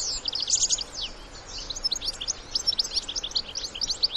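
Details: European goldfinch adults with young in the wild give a rapid, chattering series of high chirps and short whistled notes, a brief buzzy run near the start, then steady twittering.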